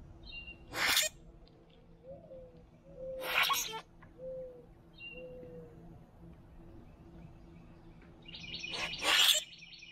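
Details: Three boat-tailed grackles call back and forth while feeding at a backyard feeder: three harsh, crackling bursts a few seconds apart, with soft, low slurred whistles and faint high notes between them.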